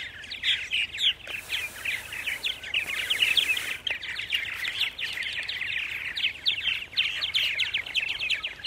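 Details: A large number of purple martins just arrived at nest sites in Center Moriches, Long Island, New York, April 14 at 8:30 AM; a dense, continuous chorus of chattering, gurgling chirps from many birds, with a short hiss of wind.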